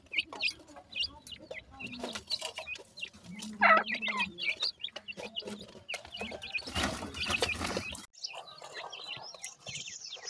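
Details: Young grey francolins calling as a group: busy high cheeps and descending chirps, a few louder clucking notes near the middle, then a burst of broad rustling noise before the peeping resumes more softly.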